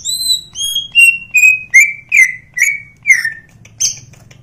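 A greater green leafbird gives about nine clear whistled notes, each sliding downward, stepping lower over four seconds before a final sharp high note, over a faint low hum.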